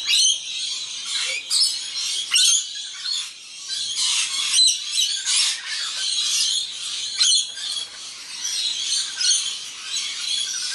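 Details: Feeding flock of wild rainbow lorikeets including an immature bird: continuous rasping, screechy chatter with sharp shrieks standing out every few seconds.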